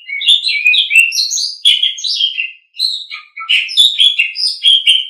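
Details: Song of an Asian pied starling kept for training: a dense, continuous jumble of chattering, whistled and slurred notes, rising and falling with hardly a pause, plus one brief dip into lower tones.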